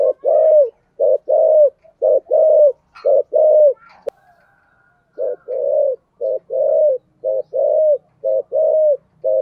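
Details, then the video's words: Cooing of a spotted dove, 'giọng thổ' voice: a run of deep, soft paired coos, a pause of about a second with a faint thin tone, then the rhythmic coos resume steadily. "chim cu gáy giọng thổ"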